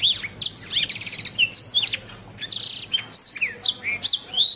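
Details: Canary singing in a training masteran: a quick rattled trill opens, then whistled sweeps, a harsh buzzy stretch near the middle, and crisp rising chirps ending on a drawn-out whistle.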